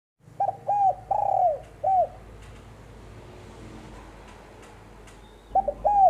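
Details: Female spotted dove giving a cooing phrase: two short coos, a long rough drawn-out coo falling at the end, then a clipped final note, all low and mellow. After a quiet gap the phrase starts again. A faint low hum sits underneath.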